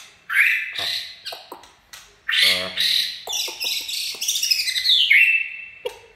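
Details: White-rumped shama song in the "chạy cầu" style: rapid bursts of sharp, chattering and whistled notes in short runs, with a brief human voice murmuring partway through.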